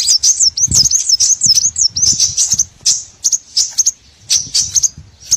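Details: Small-bird lure for trapping: quick high twittering notes in bursts, then sparse clipped chips separated by silences, with low thumps underneath.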